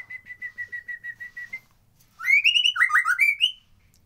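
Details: White-rumped shama as a lure to make reluctant birds sing: about a dozen soft, even whistled notes at one pitch, a pause, then a burst of loud, warbling phrases sliding up and down.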